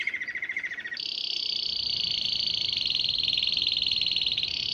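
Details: Canary song said to draw many wild canaries and goldfinches; a brief lower trill switches into a long, very rapid high rolling trill held steadily to the end.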